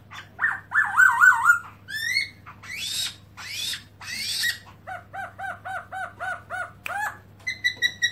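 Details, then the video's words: Melodious song of a black-throated laughingthrush, which opens its tail as it sings, 2017: harsh rising calls and broad, squawky notes, then a quick, regular series of paired whistled notes, about six each second, before high ringing notes at the end. "Black-throated laughingthrush(Garrulax chinensis): Open-tail And Song Melodious Sound"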